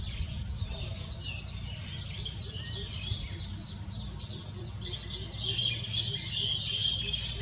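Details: Green bee-eaters on 31 July 2019 give a busy stream of high, trilled chirps, about two a second, over a steady low rumble.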